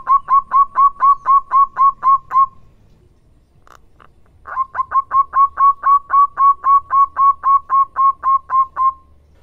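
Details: Lure song of a local zebra dove (perkutut lokal); long, very regular series of bright, pulsed coos, roughly four per second, with a brief break and a faint click before a second extended run.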